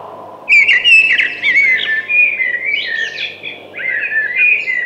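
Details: A thrush's song opens with a sharp, bright whistle, then flows into sliding, slurred fluty notes that rise and fall.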